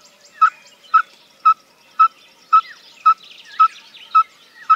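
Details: Yellow-fronted Tinkerbird (Pogoniulus chrysoconus) male song: a steady run of short, hollow popping notes, about two per second, with faint chatter of other birds behind.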